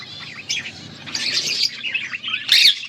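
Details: Budgerigars recorded August 14, 2024, trading scratchy chirps and squeaks that build from quieter chatter to a loud burst near the end, over a faint low hum.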